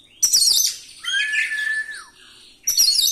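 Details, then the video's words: Oriental magpie-robin singing its rolling song with imitated fill-ins to rouse other magpie-robins: a harsh high chatter leads into a loud whistled note that wavers and slides downward, ending with another sharp burst. "ngeroll ngeluarin isian, 💯 Efekti buat pancing emosi, dongkrak 🐦 burung kacer"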